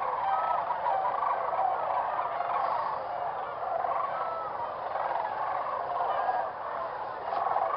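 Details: A large gathering of whooping cranes at their roosting site in early morning around sunrise, their trumpeting, rattling calls overlapping into a steady, dense chorus with no single voice standing apart.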